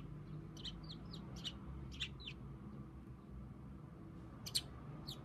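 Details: Tame pet budgerigar standing with one leg raised, appearing to talk to its owner; scattered short, high squeaky chirps and chattering notes in quick bursts, quiet against a steady low indoor hum.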